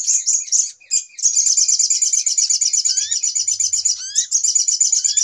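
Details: Spiderhunter lure calls for bird trapping: a brief gap after the first second, then continuous shrill pulsed chatter overlaid by a few rising whistled notes around three and four seconds.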